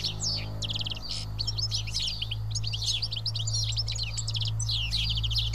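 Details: House sparrows, about seven, sitting and feeding together at Karyotissa in Greece, chirp in a dense overlapping chatter of short high notes. A steady low hum runs underneath throughout.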